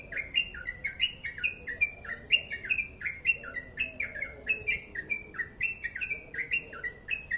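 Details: Yellow-vented bulbul singing in the crucukan 'ropel panjang' style, fast and dense: a rapid, unbroken run of short chirped notes sliding downward, several each second, with faint low hum beneath.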